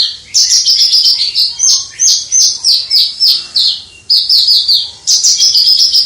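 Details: Kept Javan bush lark in full, prolific song with a clear 'crystal' voice, recorded from a distance: rapid high-pitched whistled and trilled phrases, strung almost without pause, with a brief gap near the middle.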